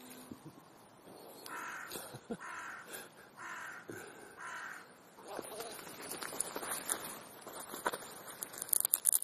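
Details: Afternoon crow gathering in Leipzig's Clara Zetkin Park: a run of about five harsh, evenly spaced caws roughly every half second, then a jumble of clicks and distant voices from the flock.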